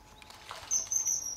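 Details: Young male common kingfisher at RSPB Fowlmere in August, visiting and fishing by a hide: a single shrill, thin, very high whistle held for about half a second, following faint rustling.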